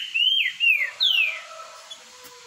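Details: Boiadeiro-style song of a green-winged saltator during a singing contest: three loud, pure whistled notes, each falling in pitch, the last one longest and most drawn out.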